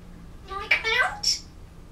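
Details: An African grey parrot named in November 2011 recording, indoors, says a quick, speech-like two-syllable phrase with a rising lilt, then a short high, breathy note, while practising words and trying to sing a song; faint indoor hum.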